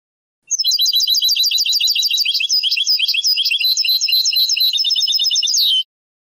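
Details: Moroccan Sebtaoui-style song of a European goldfinch, taken from a rare old tape from the late 1990s and early 2000s; rapid, unbroken chattering and tinkling trills, high-pitched with buzzy notes mixed in, lasting about five seconds on a clean, quiet background.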